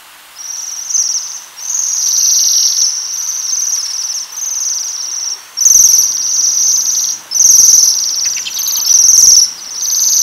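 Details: Very high metallic trilling from Waxwings at rowan berries, sounding in bursts of one to two seconds separated by short gaps, with faint rustling beneath.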